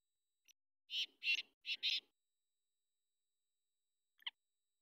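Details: Black francolin wandering freely, calling with a tight phrase of four rasping, buzzy notes in two pairs, followed by a long quiet pause and a brief faint chirp.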